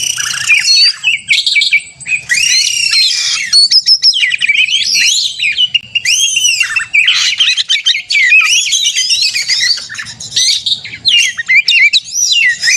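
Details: Long fighting song of a white-rumped shama meant to provoke other shamas: varied loud phrases of sweeping whistles, harsh chatters and rapid note strings, separated by short gaps, over a faint low hum.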